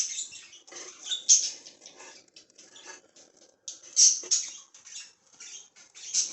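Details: Baby budgerigars out of the nest on 25 Sep 2022, playing and being offered mint, give scratchy, high chirps and chattering notes in short irregular bursts.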